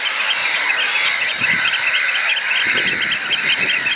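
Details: Juvenile Eurasian oystercatchers, three together and probably siblings, piping as a display linked to competition for food; quick shrill notes overlap in a steady, excited chatter, with some low handling noise midway.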